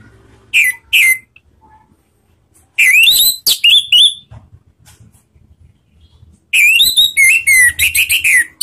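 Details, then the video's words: Orange-headed thrush singing in the ngeplong manner as a ngeriwik lure: loud rising whistled phrases with harsh overtones, delivered in three clusters of rapid notes separated by short quiet gaps. "GACOR ANIS MERAH manapun denger SUARA NGEPLONG ini ¦ PANCINGAN Ngeriwik"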